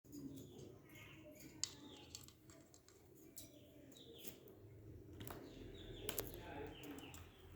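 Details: Pet budgerigars in a small home setup give short chirps and scratchy, falling chatter notes over a steady low background hum.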